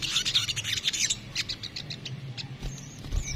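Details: Crimson sunbird, locally called sogok ontong, singing in kemrecet style: a quick burst of high, thin twittering notes opens the recording, then thins into scattered sharp chips and a short high whistle near the end.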